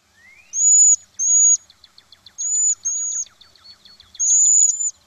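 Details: Cedar Waxwing (Bombycilla cedrorum) quiet song, a spring migrant through southern Quebec: five very high, thin, whining notes, each about half a second long, given in pairs with faint soft ticking between them.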